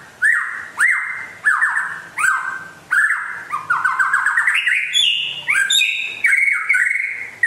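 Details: West Aceh white-rumped shama, described as rare and in full song. Repeated rising whistled notes come about once a second, then speed into rapid stuttering trills and varied bright whistled phrases.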